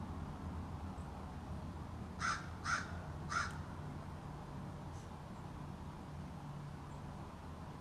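American Crow giving three harsh, nasal caws about half a second apart, over a steady low hum.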